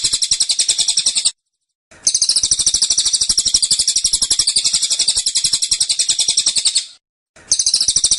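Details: Cililin giving insistent 'tembakan' song, a rapid machine-gun series of high chirps in three bursts, the middle one lasting around five seconds, with short silent breaks.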